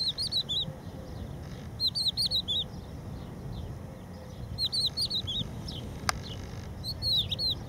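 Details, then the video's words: At Empuriabrava beach, a protected crested lark sings short runs of looping, slurred whistles, each burst a handful of quick notes and repeated every couple of seconds; a single sharp click cuts in near the end, over constant low background noise. "song of the crested lark - Gesang der Haubenlerche - Cogullada"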